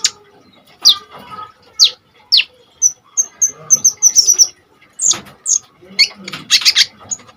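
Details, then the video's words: Common iora in vigorous, fire-off song, used as a tutor and trigger for kolibri ninja songbirds: sharp high chirps and short downslurred notes, then a quick run of clipped whistles and a dense closing burst. "KONIN GACOR FULL TEMBAKAN SADIS"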